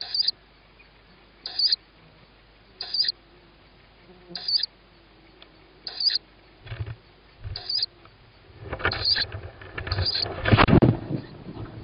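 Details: Begging owlet of a tawny owl at feeding time, evening of 21 May 2017 at 21:38; rasping high screeches repeated roughly every 1.5 seconds, ending in loud scuffling and rustling as food is delivered.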